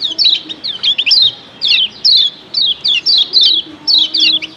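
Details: Paired female and male lemon-bellied white-eye calls, said to rouse all white-eyes into noisy calling: rapid high-pitched descending chirps delivered in tight clusters about once per second, with faint low droning underneath.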